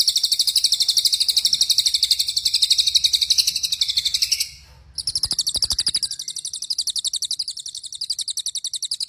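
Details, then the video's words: White-rumped shama of the Cililin type, singing a long song used to train other birds: rapid, high, sharp notes repeated about four per second in a steady run, a brief break midway, then the same run resumes. "MASTERAN HANDAL MURAI BATU CILILIN NEMBAK PANJANG"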